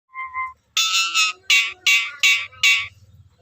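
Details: Nias hill myna making an odd, amusing sound: two short clear tonal notes, then a run of six loud harsh, buzzy bursts at a steady pace, each lasting about a quarter second.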